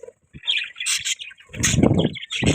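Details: Pet budgerigars chirping: short buzzy twittering notes in quick bursts, with low thumps and rustling from movement in between.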